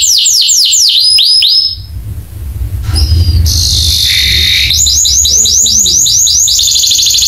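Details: Canary training song to make other canaries sing: rapid trills of falling chirps, a break filled with low rumble, a sustained buzzy note, then fast repeated chirp trills resume, ending in a quicker roll.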